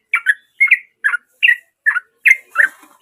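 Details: Lively sooty-headed bulbul in natural voice: seven chirpy double notes spaced roughly half a second apart, each a quick rising-then-falling flick, with a faint rustle at the end.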